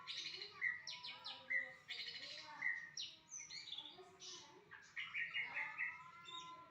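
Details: Varied, loud song of a white-rumped shama. Phrases pair rich harmonic notes with quick high flourishes and are repeated roughly every second. Some whistles slide downward, and short pauses separate the bursts.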